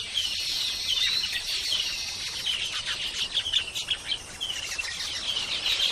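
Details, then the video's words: Baya weavers in Sri Lanka keep up a dense, high chatter of squeaky chirps and wheezy buzzes, several birds overlapping without pause; no other sounds stand out. "baya weaver sound"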